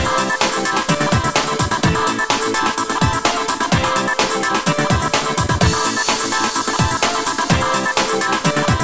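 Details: Loud, steady electronic dance music with a regular beat fills the whole stretch, and no animal sound comes through.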